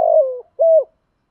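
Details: Spotted dove lure song used to stimulate wild doves to coo back: two low, steady cooing notes, the first longer and gently falling, the second shorter and level, with a brief pause between them and no other sounds.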